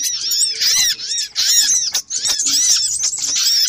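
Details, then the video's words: High, squeaky arched notes from a little spiderhunter lure compilation pour out in quick runs, dense and overlapping, with a couple of short dips between bursts. "Suara pikat burung sogok ontong ribut kompilasi"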